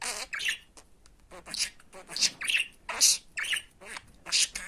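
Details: Pet budgerigar saying Turkish words like "fıstık" and "iyi günler". Breathy, hissing word-fragments mix with brighter squeaky notes in uneven bursts, some drawn out and some clipped.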